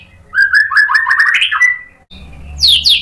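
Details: White-rumped shama, agitated and answering a rival fighter bird, pouring out its learned repertoire: a run of rising whistled notes stepping upward, then a brief pause and a burst of high, harsh sweeping notes.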